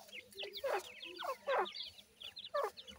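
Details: Grey francolin chicks being raised in captivity: short, high, thin peeping notes that sweep downward, given in small irregular bursts, with a few lower clucking notes between them and a faint low hum behind.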